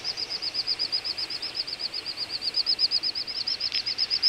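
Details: Little bustards wintering in Azerbaijan's Ag-Gol National Park, November 2014: an even series of high, looping whistled notes, roughly seven or eight per second, holding a steady rhythm throughout.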